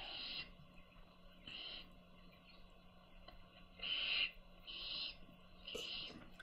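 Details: Young owls calling while their mother feeds them: a series of rasping, hissed begging screeches, each under half a second, coming in uneven clusters, one notably louder, above a quiet background hum.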